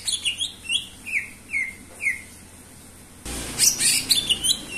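Greater green leafbird singing bright, slurred whistles that fall in pitch, about two a second, then a sudden burst of dense, high chattering notes.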